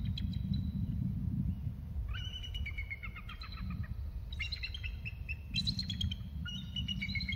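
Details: Pair of bald eagles calling as one flies across to join the other on the same perch: several quick runs of shrill, harmonic piping notes sliding downward, over constant low background rumble.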